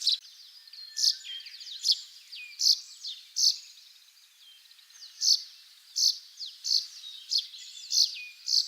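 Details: Russet sparrow singing in Hokkaido, Japan, where it mostly breeds. Sharp, high chirps come roughly once a second, with thin twittering notes between them.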